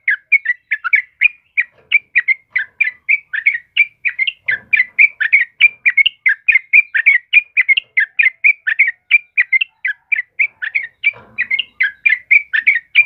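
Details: Lively 'trucukan kebo' yellow-vented bulbul singing as a training and lure recording for caged birds. It gives a long run of quick, liquid chirps and warbled notes, packed closely and repeated without a break. The background is quiet.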